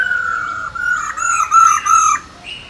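A black-throated laughingthrush female gives a long, steady rolling note, mid-pitched and slightly wavering, swelling louder twice before fading into a brief higher note.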